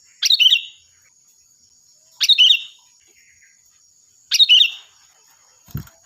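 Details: Sooty-headed bulbul, a lively, loud and shrill singer used as a tutor for training other birds: three short bubbly, warbled phrases about two seconds apart, a steady high thin whine behind, and a soft low thump at the end.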